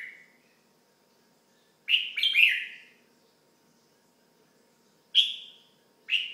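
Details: Pet red-whiskered bulbul giving several short whistled and chirped notes in irregular bursts over a faint steady hum indoors.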